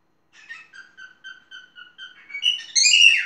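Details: Pet parrot indoors whistling a run of eight short, clipped, even notes, then breaking into a louder, jumbled burst of shrill, sliding whistles and squeaks.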